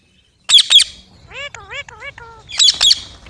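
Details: Green parrot: two sharp, loud squawks, then four or five smooth, speech-like wavering syllables, then two more harsh squawks to close.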